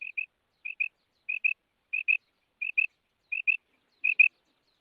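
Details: Female quail call: clean, high double notes, each pair quickly repeated, given about every 0.7 seconds in an even series against a silent background.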